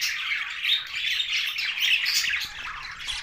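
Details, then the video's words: Budgerigars chattering in captivity: rapid scratchy twitters and short squawks run together, about four notes a second, with a faint low rumble beneath. "Budgies Australian parrot sounds"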